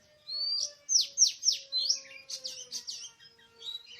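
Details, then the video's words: Wild Oriental magpie-robin in forest on 24 March 2017, during bird trapping, gives a loud phrase: a rising whistle followed by a rapid series of sharp downslurred notes, then softer twittering. A faint steady low hum underlies it. "Oriental Magpie-Robin:Chirping In The Exciting Wild"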